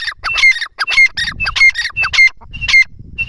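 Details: Francolin (teetar) enjoying itself near plants: loud, harsh, ringing call phrases with a squeaky whistled tail, repeated rapidly and rhythmically, with low rustling between.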